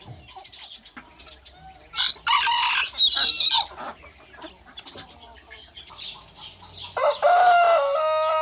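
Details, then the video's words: Rooster of one of several breeds: scattered clucks and short harsh bursts, then a long crow that rises and holds steady through the final second and a half. "Top 10 Best Rooster Crowing Sound Effects Compilation"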